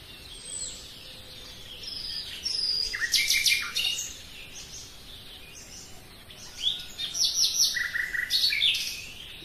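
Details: Common nightingale singing: scattered high whistles, then a loud burst of rapid, varied notes around the third second and another run of quick, pulsing phrases near the end, with quiet pauses between.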